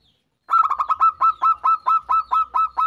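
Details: Zebra dove manggung song, played as a lure to set other zebra doves singing: about a dozen rapid, evenly spaced staccato cooing notes in a steady run after a brief silence.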